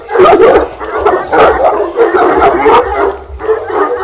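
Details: Twelve-month-old Fila Brasileiro confronting a stranger acting as decoy, showing guarding aptitude; dense, hoarse barking runs together almost without pause, harsh and loud throughout the few seconds.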